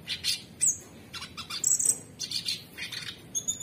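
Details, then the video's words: A cucak cungkok (bulbul) gives bright, scratchy chirps and short high whistles in quick bursts, with a few lower notes mixed in. "Cucak Cungkok Super gacor"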